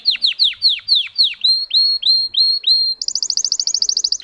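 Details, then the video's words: Russian canary, a breed kept for singing, delivering a song of high tone variations: a series of clear downslurred whistles about every quarter second, then level upswept notes, ending in a rapid, even trill. "Red trees Canary Singing"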